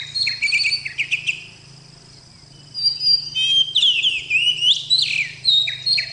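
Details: Oriental magpie-robin, known in Indonesia as kacer, a fighting bird and songbird, singing loud whistled phrases with sharp rising and falling slurs, a short pause partway through, then a busier burst of varied notes over a steady low hum.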